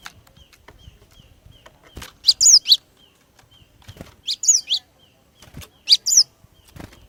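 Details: Female cinereous tit calling to lure males into singing: three bursts of sharp, high chirping notes, each a quick cluster of rising and falling squeaks, spaced about two seconds apart, with faint thin repeated pips in between.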